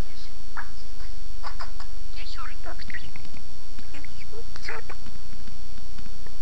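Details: Parrot speaking Armenian words: a run of clipped, chattering syllables and brief whistled slurs in quick succession, some rasping notes, over a constant background hum.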